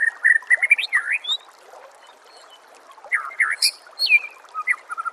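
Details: Master training recording of white-rumped shama song with quick repeated chirps, V-shaped swooping whistles and high sharp notes in two lively bursts separated by a short pause, over a steady background hiss.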